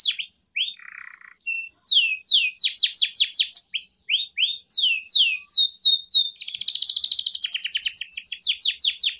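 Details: Canary song for tutoring young birds: scattered rising whistles, a short buzzy note, then a long series of rapid downslurred notes ending in a fast rolling trill.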